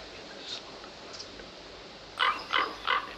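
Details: Common Ravens at a photography hide: one raven calls to a second that then flies in and calls differently. The clip has four short, harsh, hoarse notes, about three a second, after a quiet stretch with faint background noise.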